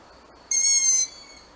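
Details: Barn owl giving a single harsh, strained screech about half a second long, steady in pitch and ending abruptly, with quiet surroundings before and after.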